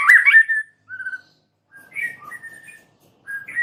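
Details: A white-rumped shama, one bird singing energetically, gives scattered clear whistles, one loud wavering note followed by short steady whistles at middle pitch, separated by silent gaps.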